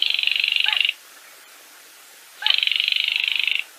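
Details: Two long, dry, rattling trills of a Baillon's crake in the 'gõ ghẻ' style, each about a second of fast even pulses, separated by a pause. The call is played to draw birds into nets set at night.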